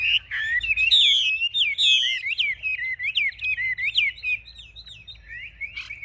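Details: Wing-raising, tail-fanning caged Chinese hwamei known as a fierce fighter, singing bright looping whistled notes in a steady series, slowing and softening toward the end.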